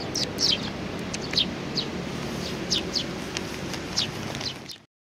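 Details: Sparrows with a little one, 27 June 2019. Thin high chirps at irregular intervals over noticeable broadband background noise, ending abruptly in silence.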